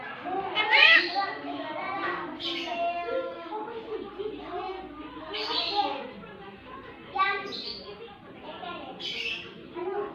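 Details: Javan myna, a tame talking bird, chattily mimicking human speech and calling "mama": a string of voice-like phrases with rich harmonics and short bright, squeaky high notes, coming in bursts about every one to two seconds.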